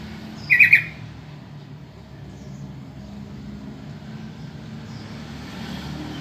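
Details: A yellow-vented bulbul lure call, meant to prompt answers from other bulbuls: one brief cluster of three bubbly notes near the start, followed by several seconds of steady traffic-like rumble.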